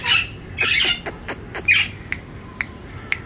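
A grey parrot gives two harsh, raspy squawks, then a run of sharp clicks and short, high chirps about every half second.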